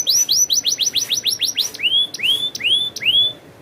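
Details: Canary song: a quick series of downslurred whistled notes, about five per second, then slower rising whistled notes repeated roughly every half second, clear and loud.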